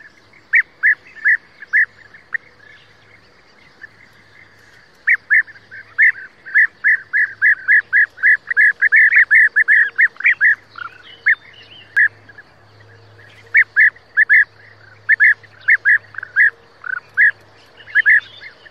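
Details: European bee-eater giving short rolling, burry calls in rapid runs, with a brief pause before a dense, overlapping stretch and further spaced notes; a low steady hum runs underneath.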